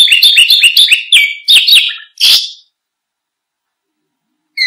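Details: Canary song for prompting and tutoring other birds: a fast rolling trill of repeated chirps, a couple of short bright phrases and a harsh burst, then silence before one more note.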